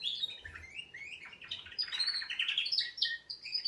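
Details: Canary wake-up song, short burst of quick warbled notes and buzzy trills, several rising and falling phrases run together without a gap.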